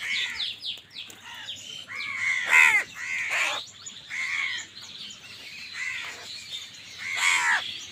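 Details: Crows competing for food keep up a ragged chorus of rasping caws and short squawks, several calls overlapping, with louder peaks now and then.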